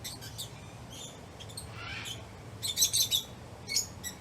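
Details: Lovebirds chirping while playing, eating or excited: a faint scattered chirp early on, then a burst of sharp, high squeaky chirps in quick succession near the end over a steady low hiss.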